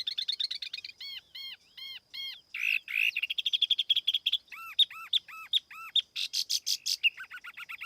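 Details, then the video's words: Varied lure song of a tiểu mi laughingthrush, free of background noise: repeated arched whistles, a buzzy slur, then quick trills of short notes and ringing, looped phrases changing every second or so. "TIẾNG CHIM TIỂU MI MỒI KHÔNG TẠP ÂM CỰC CHUẨN"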